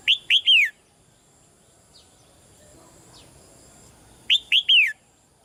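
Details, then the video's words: Red-whiskered bulbul female, caged, calling quietly to urge the male into stronger song. Two sharp whistles then a drawn-out descending note, and the whole phrase is repeated about four seconds later over low hiss. "นกหัวจุก birds - นกตัวเมียร้องเบา ๆ ในกรงเรียกนกตัวผู้ให้ร้องแรงขึ้น"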